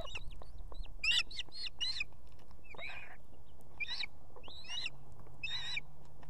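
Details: Osprey female at a nest in Estonia with two chicks, calling her mate to bring food on an evening. She gives repeated bursts of sharp, piping notes in short clusters every second or two. Thin slurred whistles sound between them, over a low background hum.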